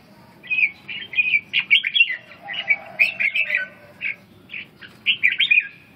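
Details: Red-whiskered bulbul song made of quick, rolling warbled phrases in a near-continuous stream, breaking into shorter note groups toward the end, over soft low background noise.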